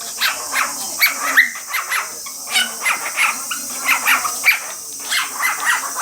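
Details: Male cockatiel calling while a female cockatiel bathes under a mist spray. Its sound seems meant to match the bathing. Short chirpy calls repeat rapidly and irregularly, several per second, over a steady hiss.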